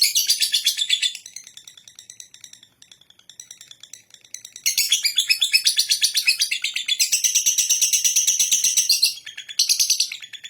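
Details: Ngekek-style song of a lovebird, a long, dense run of shrill chattering pulses at about three per second, dropping to quiet ticking midway before surging back loud and continuous.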